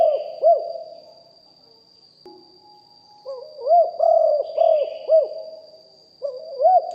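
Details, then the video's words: Spotted dove, a caged decoy bird in a live recording, giving a big-voiced song in the styles called lio hoi and kuk hoi. Deep, bubbling coos come in quick bursts with short pauses between groups, and a steady high whine sounds throughout. "นกเขาใหญ่คับ birds - Ep 1 เสียงต่อนกหลิ่วห้อย เสียงใหญ่#2 & 4กุกห้อยเสียงใหญ่ บันทึกเสียงสด"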